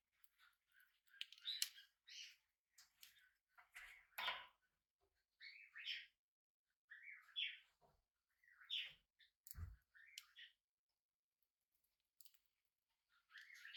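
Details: Hand-reared tame budgerigar chick during its first day at home: a busy run of short, bright chirps and scratchy warbled notes, some rising, in irregular clusters with brief clicks and taps in a quiet room.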